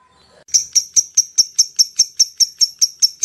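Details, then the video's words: Lovebird 'ngetik' call for drawing in other lovebirds: evenly spaced, sharp, very high chips about five times a second after a faint opening murmur. "SUARA LOVE BIRD ( LABET ) NGETIK, NGEKEK PANJANG AMPUH UNTUK MEMANCING LABET YANG LAIN"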